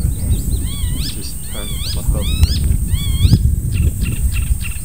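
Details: Icterine warbler, an early-July visitor that mimics other birds, delivering harmonically rich rising-falling wavy notes in repeated phrases about every second, then scattered clicks; loud low rumble and constant high whine behind.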